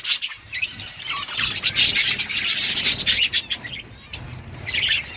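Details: Budgerigars chirping: dense, overlapping high chattering and warbled chirps, rapid and irregular, with a brief lull near the end before the chatter resumes.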